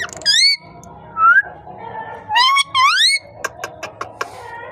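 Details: Pet parrot giving loud swooping whistles that rise and fall with strong overtones, a brief flat rising whistle between them, then a series of sharp clicking taps at the end.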